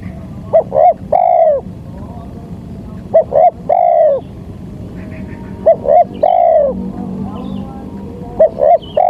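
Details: Lure recording of a local spotted dove for trapping: four repeated phrases about two and a half seconds apart, each a pair of short notes then a longer drawn-out coo, with soft background hum.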